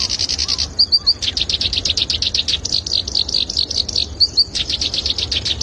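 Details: Black-browed reed warbler singing as a model for songbird training: harsh churring phrases, short whistled downslurs in threes, and continuous chattering notes, with low rumbling noise beneath.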